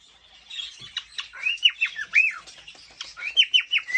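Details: Male cockatiel showing courtship toward a female, starting softly then building into a row of sharp, arched chirps, the last few evenly spaced.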